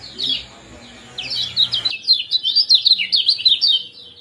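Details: Common Iora in a combined 'ciak' and 'jos' chirping recording used to bring birds into breeding condition. After a quiet low hum, rapid high chirps pour out in a dense run over the second half.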